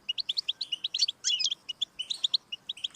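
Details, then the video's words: European goldfinch song, played to stimulate a pet goldfinch to sing: rapid tinkling twitter of short bright chirps and trills, delivered in quick bursts with a brief buzzy jumble mid-phrase. "Audiorecordings of the goldfinch to stimulate birdsongs"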